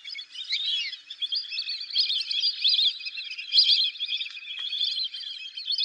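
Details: Fulvous whistling duck call of the kind used for hunting: an unbroken, dense chorus of squeaky, overlapping high whistles and chatter that rises and falls in loudness without pause.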